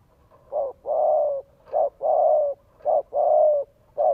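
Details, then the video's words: Spotted dove from Vietnam used as a lure, cooing to stimulate a male: clear, mellow coos in pairs, a short note followed by a longer, slightly falling one, repeated about every 1.2 seconds against a quiet background. "Chim Cu Gáy Thúc Gù Kích Bổi Nhanh Nổi - Cu Gáy Thúc"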